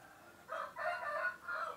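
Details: Rooster crow, the male of a laying chicken breed, which usually crows at dawn; three linked syllables, short then longer then a final falling one, fairly close over faint hiss.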